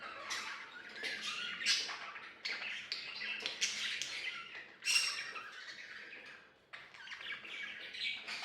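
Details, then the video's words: Pet budgerigars singing and playing, pouring out a fast stream of scratchy chirps and harsh squeaks with a loud sharp burst near the middle, then a brief lull before the chatter resumes. "Budgies Singing Playing and Talking"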